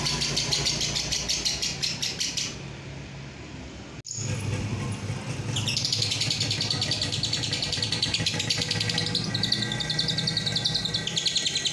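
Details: Masteran recording of lovebird Roroh ngekek for prompting long singing; a rapid high trill runs for about two seconds, breaks off, then resumes as a busier, blurred trill over a constant low rumble.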